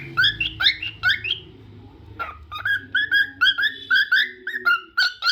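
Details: A cockatiel sings clusters of slurred whistles, then a single sharp click, followed by a quick, even series of chirped notes over a soft low hum.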